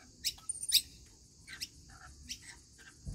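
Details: Short sharp screeches and squeaks from rainbow lorikeets being fed as part of a daily routine come in quick, uneven succession, with a low thump at the end.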